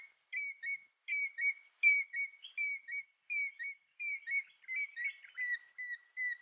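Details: An African grey hornbill in Kruger National Park gives a steady run of plaintive piping whistles, mostly in quick pairs, about once a second at a high even pitch.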